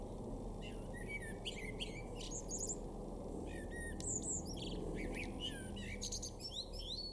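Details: Male common blackbird in a garden in Weener, East Frisia, Germany, April 2024, among busy birdsong: repeated mellow whistles around squeaky high trills and chirps from several birds, steady low noise beneath.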